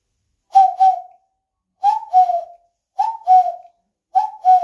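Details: Common cuckoo calling a clear two-note cu-coo, the second note lower, repeated about every 1.2 seconds against a silent background.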